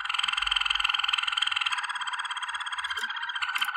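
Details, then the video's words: Waterslager canary song for training: one continuous fast, rich, bubbling trill. Brief higher chips break in near the end. "Legendary Waterslager Canary Singing For Training - وتر سلاجر"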